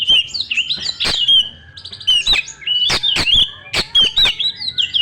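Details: White-rumped shama singing to stimulate young wild birds: short whistled phrases each ending in sharp clicks, repeated about every half second in lively bursts.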